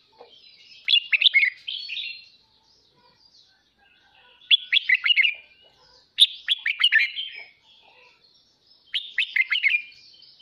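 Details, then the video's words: Morning song of a red-whiskered bulbul kept for voice training and for rousing newly caught birds: four short, fluty, chattering phrases with clear silent gaps of two to three seconds between them. "Chào mào kích bổi hót sáng /Luyện giọng chào mào"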